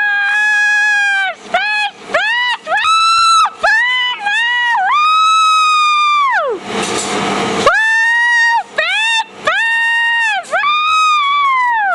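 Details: Pet cockatoo, excited and encouraged by owner's whooping, calls loudly almost nonstop: long, nasal, drawn-out notes that rise and fall, broken midway by one harsh, raspy screech.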